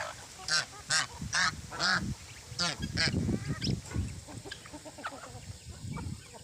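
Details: A group of geese with chicks gives a run of loud, broad nasal honks, roughly two per second at first, then quieter scattered calls over a low background murmur.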